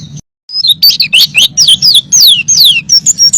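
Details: Caged white-eye song used as training material for songbirds: after a short pause, a rapid run of high, thin descending whistled notes and chirps, densely packed with little gap.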